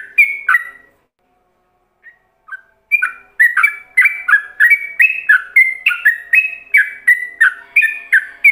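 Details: Ropelan-style song of a yellow-vented bulbul, used as a master for other bulbuls to imitate. A couple of clear whistles and a pause lead into a fast, continuous chain of alternating high and low whistled notes.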